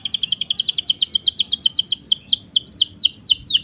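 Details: Canary recording offered as long rolling chirps for training canaries to sing: a fast, even trill of bright downward-sweeping high notes, about four per second, steady throughout with faint low background hum.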